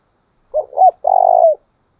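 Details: Spotted dove decoy bird, its 'chìm' coo used to rouse and train doves: two short husky rising notes followed by one long, steady, slightly falling coo, in a clean quiet recording.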